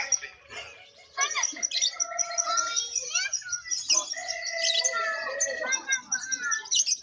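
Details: Lovebird contest entries in full voice, judged on lively, persistent sound; busy twittering and upslurred squeaks, then long steady whistled tones layered over the chatter, with a brief lull near the start.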